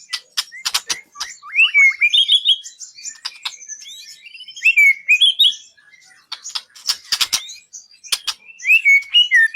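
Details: White-rumped shama contest-training song: sharp clicking notes mixed with short warbled phrases of rising and falling whistles, with pauses between bursts.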